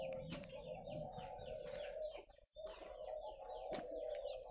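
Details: Captive spotted doves kept at a breeding farm in Ba Vì, Vietnam, giving a steady overlapping chorus of low coos, briefly cut by a moment of near silence midway, with small higher chirps and knocks from the aviary.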